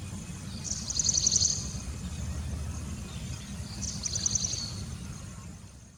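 Scaly-breasted Munia giving two short bursts of thin, high, rapidly repeated chips about three seconds apart, over a steady low rumble of distant traffic.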